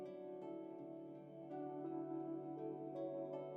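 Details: Soft harp-like plucked music with steady sustained tones and gentle repeated notes, no animal voice present.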